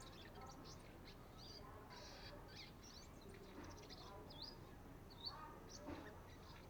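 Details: Sunbird; subsong; young bird practising its song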